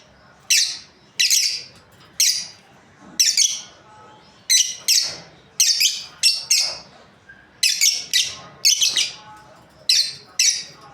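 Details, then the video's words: Steady, lively chirping from a breeding pair of lovebirds, roughly eighteen shrill, harsh notes, often in pairs, repeated about every half second with brief gaps. "Happy lovebirds chirping sounds| breeding pair"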